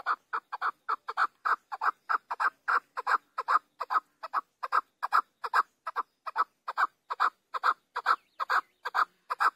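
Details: Chukar partridge giving a long, steady series of loud, harsh clucking notes, about 140 a minute, each a short chuk repeated without pause through nearly ten seconds against a quiet background.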